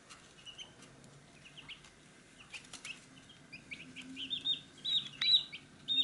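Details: Chicks at a feed dish, first soft, scattered short chirps among clicks and taps, then louder, faster high peeps building toward the end.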